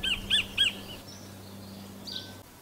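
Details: A New Zealand kingfisher (kotare) gives three quick, harsh, evenly spaced notes, followed by a faint hum and quiet.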